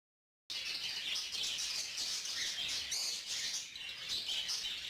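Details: Young lutino female cockatiel, recently weaned from hand-feeding, begging an adult male for food as he feeds her; dense, raspy, hissing chatter runs continuously after a brief silence, with quick high chirps layered over it.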